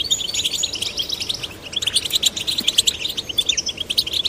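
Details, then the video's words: Male and female goldfinch chicks in captivity, urged to sing, produce a lively high-pitched twitter of rapid chirps and trills, briefly softer near the middle before resuming densely. "Stimulating male and female goldfinch chicks to sing birds chirping"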